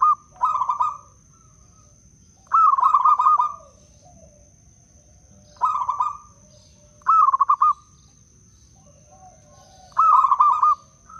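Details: Wild local zebra dove from Blora, Indonesia, recorded as a lure to attract and stimulate other zebra doves: five short cooing phrases of rapid rolling notes, each about a second long, spaced two to three seconds apart, over a faint steady high electrical whine.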